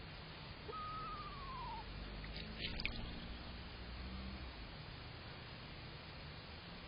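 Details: One of two screech owls bathing in a rainwater bird puddle on June 11, 2023, an adult and a fledgling by the owner's account, utters a short quavering descending whinny; a burst of clattering and splashing follows amid steady hiss.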